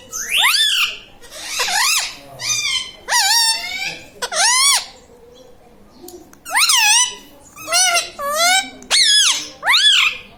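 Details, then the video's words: Talking pet parrot indoors, said to repeat mummy, papa and radhe radhe; a long run of loud harmonic calls, each bending up then down, in irregular bursts roughly every second with brief pauses between. "Mithu bolo radhe radhe || bolta parrot"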